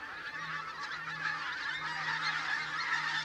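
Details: Pink-footed geese at Campfield Marsh, Bowness-on-Solway, in a blizzard: a dense flock chorus of overlapping nasal honks and yelps, continuous and layered, with a steady low hum beneath.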